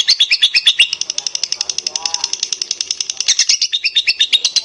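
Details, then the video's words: Lure song of a lovebird for prompting other lovebirds to sing in the long gacor style: rapid, harsh high chattering notes running nonstop, with a brief faint murmur underneath midway. "SUARA PANCINGAN LOVEBIRD DURASI GACOR PANJANG"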